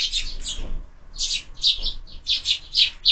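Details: Evening feeding of sparrows at a window feeder; bursts of loud, rasping chirps with a short pause near one second, several birds overlapping, some faint low knocks.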